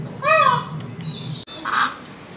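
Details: Peacock in Malaysia, displaying its feathers, gives a loud, harsh, nasal wail that falls away, followed after a short gap by a second shorter squawk.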